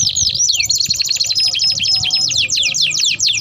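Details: Canary delivering a rapid rolling trill of quick downward-sweeping notes, sung as a lure and a model for tutoring young canaries; continuous and bright with faint low background hum.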